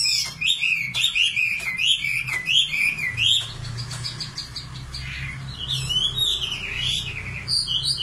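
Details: {'caption': 'Common nightingale song opening with a quick series of looping, warbled whistles, then a pause and softer rising notes, with a faint low hum beneath.'}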